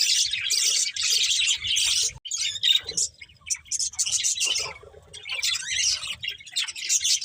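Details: Colourful budgies from a breeding pair chirping: dense, raspy high warbling in long runs. A brief silence falls after two seconds, then quieter scattered chips lead back into chatter.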